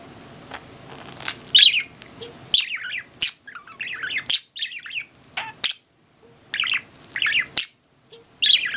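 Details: An elderly pet budgerigar with weakened legs chatters in quick bursts of high, scratchy chirps and warbles, broken by short pauses and a few sharp clicks, in a quiet room.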